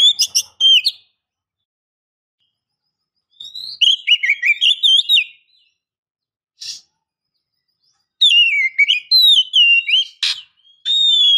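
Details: Female oriental magpie-robin calling to stir a male to sing, giving scattered bursts of high, sweet whistles and sliding notes separated by long silences, with a few sharp clicks between phrases.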